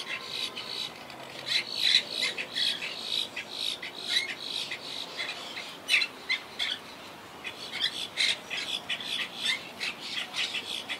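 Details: Wild Quaker parakeets in a colony living high in trees, a colony that lost about half its members to hurricane Irma in 2017; many harsh, buzzy squawks overlap in a rapid, irregular chatter throughout.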